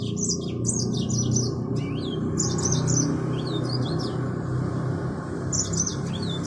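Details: Mozambique finch, or yellow-fronted canary, singing chains of high chirped and slurred notes throughout, over a loud steady low hum.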